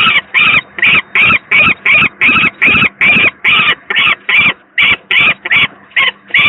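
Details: Second peregrine falcon chick, reported very unwell, at the Gdynia PGE power plant, Poland, 18 May 2023; a string of about seventeen harsh, buzzy screeches at two to three per second, with a low hum running throughout.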